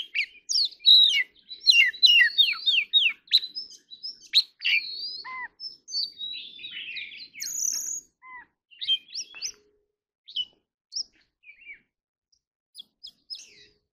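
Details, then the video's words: Oriental magpie-robin singing in the fast warbling 'hót líu' style, also called 'gacor', used for contest singing: dense, varied, high whistles, trills and slurred notes pour out for about eight seconds, then thin to scattered short phrases with pauses. "choè than hót líu || Kacer Gacor"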